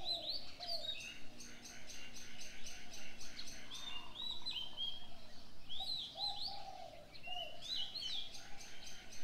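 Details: Morning birdsong with several birds calling at once: high, quick chirps and short rising and falling whistles overlap throughout, over steady background noise.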